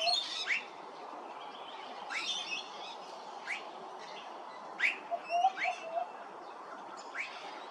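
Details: Immature Blue-faced Honeyeater at Hervey Bay, Queensland, giving sharp, upslurred piping notes, about eight in eight seconds at an uneven pace, over a steady background hiss.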